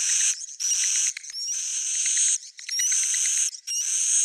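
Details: Old-style original swiftlet sound: continuous high twittering with thin, sweeping chirp notes, in several bursts separated by short gaps.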